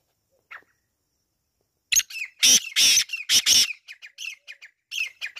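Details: Black francolin giving a loud, harsh, grating call of clustered raspy notes, followed by a series of shorter, quieter chirping notes trailing off, with silence before it begins.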